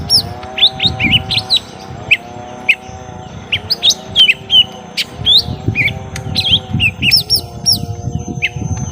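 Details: Young lesser green leafbirds locked in a long fight: dense, fast streams of high chirps, slurred whistles and sweeping notes, over a steady droning hum and rumbling low noise.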